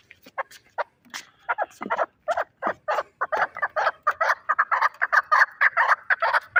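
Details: Fighting chukar partridge from Shahritus, Tajikistan, giving rapid harsh clucking notes that speed up into a steady, accelerating chatter of about two notes per second, grating and raspy throughout.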